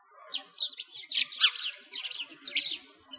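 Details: Sparrows in winter at a frozen lake in Bratislavsky Park, Moscow, Russia: a lively run of bright, sharp, overlapping chirps in quick succession from several birds.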